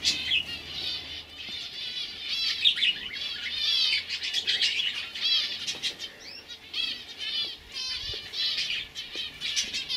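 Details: Young canaries of the 2015 brood singing nonstop, rapid rolling trills and twittering runs that rise and fall in loudness, several birds overlapping.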